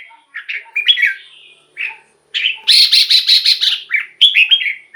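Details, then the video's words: Caged-bird red-whiskered bulbul song used to rouse other birds: short slurred whistled notes, then a loud rapid rattling run of pulses followed by bright descending warbles. "เสียงนกกรงหัวจุก สำหรับต่อ หรือ เปิดให้นกคึก เสียงเพราะๆ"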